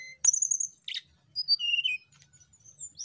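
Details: Hill blue flycatcher song, played to prompt other birds to sing: sharp high whistled notes and a buzzy burst, then a lower, steady whistle falling at the end, with short gaps between phrases.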